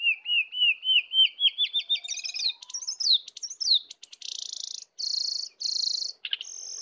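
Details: Wild versus caged sooty-headed bulbul in a heated full isian song battle. A steady series of rising slurred whistles gives way to sharp descending notes and several long, shrill, buzzing high tones.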